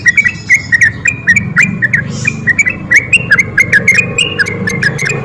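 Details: Spirited sooty-headed bulbul ropel song used to provoke lazy birds: a lively string of short, slurred whistles with quick up-and-down inflections, accompanied by sharp clicks and a soft low hum.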